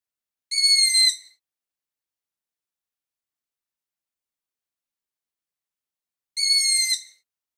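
A young Long-eared Owl gives two high, squeaky, slightly falling calls, each under a second long, about six seconds apart, with silence between.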